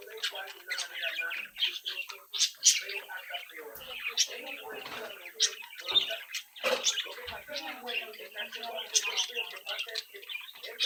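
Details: Several captive budgerigar youngsters twitter and sing together while relating to one another; a long steady stream of mixed warbles, ticks and sharp tweets with no pauses.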